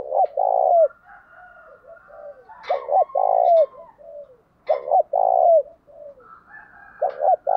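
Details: Spotted dove cooing to provoke rivals: four rapid repetitions of a short double coo and a sustained low note, softer falling coos in the gaps, faint higher whistled tones behind.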